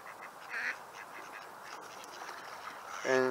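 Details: Ducks quack, a short nasal quack then a louder, harsh, buzzy one, at sunset on 10 May 2021 in a Seattle neighbourhood where local waterfowl are fed daily; a half-Pekin, half-Mallard female is noted quacking; a person talks quietly.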